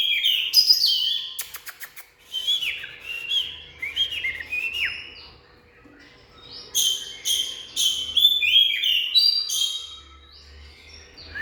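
An Oriental magpie-robin sings a rich, varied run of clear whistles, slurred notes and quick chirps, pausing briefly between phrases, with a low hum underneath.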